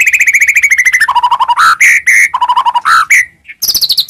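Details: White-rumped shama song aimed at rousing other shamas: a fast series of repeated notes stepping down in pitch, then alternating low trills and loud ringing whistles.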